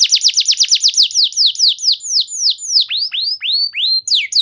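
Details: Canary lure song for stimulating other canaries: a rapid trill of sharp falling notes gradually slows into widely spaced descending whistles, then a few long rising and level whistled notes.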